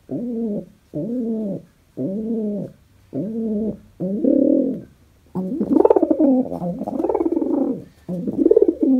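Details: Happy pet pigeon kept indoors cooing: five evenly spaced, rounded low coos, then longer, louder and more swelling rolling coos running almost together toward the end.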